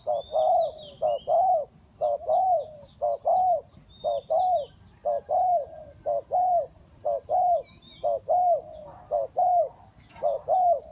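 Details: Spotted dove kept as a trapping decoy, cooing steadily about once per second in a long series of mellow, bouncing notes. Each note has a slight quaver, and high, thin chirps of other birds are heard in the background.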